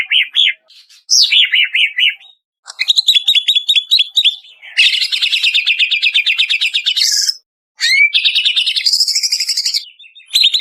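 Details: Banyuwangi-type greater green leafbird singing a lure song meant to make birds sing more. Short whistled phrases and a swooping note give way to long, fast, rattling trills broken by brief silences, with a rising whistle near the end.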